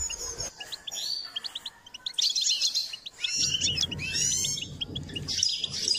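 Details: Goldfinch song in a training session, a run of separate high chirps growing into rich buzzy twittering phrases, with low background rumble in the second half.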